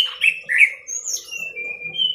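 Orange-headed thrush singing a quick, varied run of rich slurred whistles, then thin, high drawn-out notes, over a faint steady hum.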